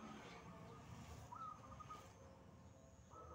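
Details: Singing wild zebra dove: one rippling phrase of an upswept note trailing into fast soft pulses, and the start of another at the end, against low rumble and a thin continuous high tone.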